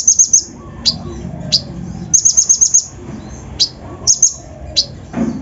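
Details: Kolibri ninja sunbird lure song, rough mixed mimicry for stirring up other birds: short groups of five to six very high quick notes with single sharp chirps between, at a steady moderate pace.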